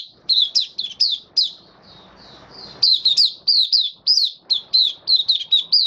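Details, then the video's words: White-eye in captivity delivering "buka" song, 18 May 2022, having completed deworming with health supplements; evenly spaced high chirps in a steady, lively series, with a short soft warble interrupting early on. "Mata Puteh Kitaro buka sing"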